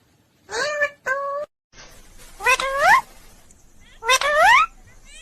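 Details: Parrot chirping and calling "mummy papa" in a quiet room: four short, voice-like harmonic calls, two brief flat notes followed by two longer upward-sweeping ones, with silent gaps between.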